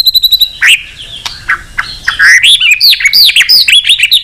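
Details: White-rumped shama in full, many-voiced song, used to excite other shamas into singing; a quick series of high repeated notes, then varied whistled slurs and curling phrases, delivered rapidly and loudly.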